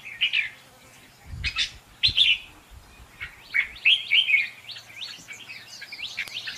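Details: A contest song from a red-whiskered bulbul kept as a decoy for trapping: scattered bright warbled notes, then a run of short up-and-down whistles, over faint low bumps.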